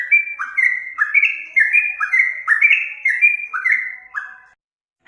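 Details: Trucuk (yellow-vented bulbul) song used as a master recording for training other birds: bubbly, liquid whistled phrases, each dropping then jumping up in pitch, repeated roughly twice per second with no other sounds.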